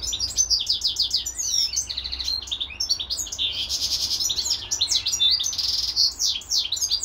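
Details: European goldfinch kept in captivity with a hybrid companion, delivering a long, energetic warbling song of quick liquid twitters, buzzy rattles and high tinkling notes, running almost unbroken throughout.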